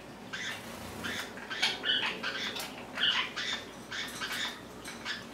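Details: Several pet Lineolated parakeets indoors, one crowding toward the camera among its companions; soft, short chirps and chattering notes come in loose bursts, with a few clearer whistled peeps near the middle, over a low steady room hum.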